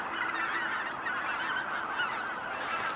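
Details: Brief stretch of a cackling goose flock at Kejonuma, with many high, clipped honks overlapping densely and a soft rushing sound at the close.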